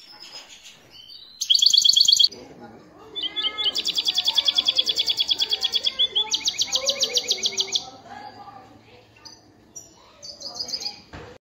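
Goldfinch × canary hybrid singing a bright, high song of rapid buzzy trills and twittering notes, with rattling rolls repeated in quick bursts; faint background voices.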